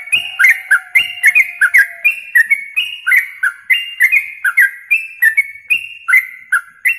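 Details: Yellow-vented bulbul singing in a masteran recording for contest birds: rapid rhythmic phrases of bright whistled notes, each with a crisp high click, repeated steadily; a faint low steady tone runs beneath at the start.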